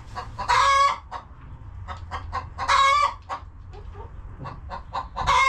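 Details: Chickens in a cozy farm coop trade quick, irregular clucks punctuated by three loud, harsh squawking calls spaced about two and a half seconds apart.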